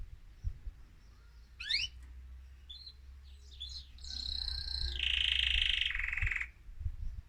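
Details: Excited male mosaic canary singing to stimulate other birds: rising sweeps, short chirps, then a loud sustained trilled roll over a steady low hum.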